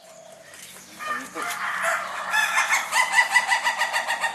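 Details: Ayam Ketawa, a laughing chicken breed from Sidenreng Rappang, South Sulawesi, Indonesia, also called manu gaga. A rooster starts a crow that breaks into rapid rhythmic pulses, like human laughter, quickening to nearly two per second.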